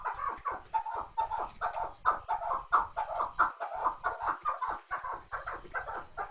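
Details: Chukar partridge giving a run of repeated throaty clucks, evenly spaced and slightly rising in emphasis, forming a rhythmic chuck-chuck series without pause.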